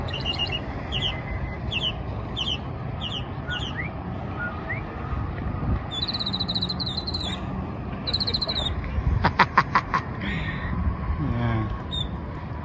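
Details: Mockingbird singing at a bridge; sharp high repeated phrases, each note sounded several times in quick series, with varied chirps between, over steady traffic rumble.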